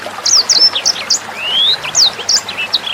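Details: Short burst of sanger bird song for training songbirds: a few high chirps, then one long thin whistle rising smoothly, followed by more sharp flicked notes, with soft water trickling behind.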